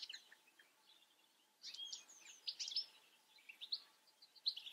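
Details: European goldfinch giving a quick, bright twittering phrase of sharp high chips and slurred notes after a quiet opening second, with scattered softer notes trailing off.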